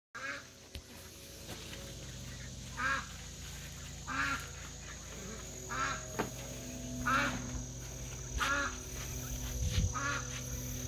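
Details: Mallards raiding a duck feeder, recorded 16 August 2022 in the afternoon: short, harsh, nasal quacks, single or in brief pairs, repeated every one to two seconds over a steady low hum, with occasional knocks and thuds.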